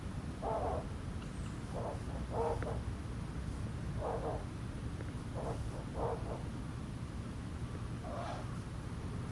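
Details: Ural owl calls from a recording with a juvenile's 'pishu' calls and a female's 'gorozu-gebo-bo-bo' and 'bwa' calls: short, harsh low notes repeated at uneven one- to two-second intervals over a steady rushing background.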